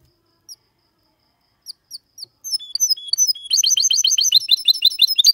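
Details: Goldfinch x canary hybrid male song, played so other males sing and young birds memorise it; isolated high chirps and slurred whistles build into a fast, steady train of repeated sharp twittering notes.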